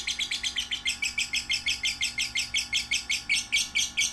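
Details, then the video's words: Young lovebird of one to three months, a master recording for other lovebirds: rhythmic, rising chirps repeated about every fifth of a second, clear and high, with a soft humming background. "Masteran suara burung love bird paud 1-3 bulan"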